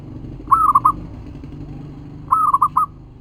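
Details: Zebra dove of local stock used as a lure to draw answering calls: two rapid trilled coo phrases of four or five notes each, clear and mid-pitched, with low rumbling noise beneath.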